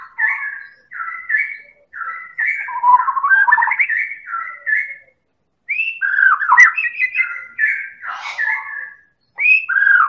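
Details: Medan-type White-rumped shama singing continuously to prompt other birds to sing: a steady run of varied whistled phrases, some slurred downward, with brief gaps and a richer tumbling passage near the middle.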